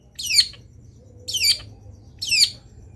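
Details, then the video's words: Three harsh, scratchy, downslurred notes about a second apart from a long-tailed shrike in full song, on a recording meant to get other shrikes calling along; faint low hum behind. "CENDET GACOR BIKIN BURUNG CENDET LAIN IKUT BUNYI - MASTERAN CENDET GACOR FULL ISIAN"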